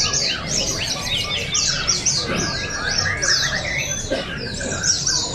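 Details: White-eyes singing at an open bird song and style contest, Pesta Bederun, Balingian, Sarawak, 2023: dense, rapid high twittering phrases repeated without pause, several birds overlapping, with faint crowd murmur beneath.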